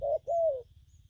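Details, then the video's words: Newly caught spotted dove in gù phóng, gù kèm and gù lăn cooing: a short mellow note followed at once by a longer, gently falling coo, a low hum underneath. "Bổi nước gù phóng, kèm, gù lăn săn"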